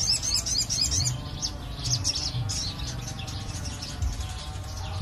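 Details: Crested jay used as a lure call: a rapid, high, jumbled chatter of squeaky notes for roughly two seconds, easing into softer scattered twitters against a constant low hum.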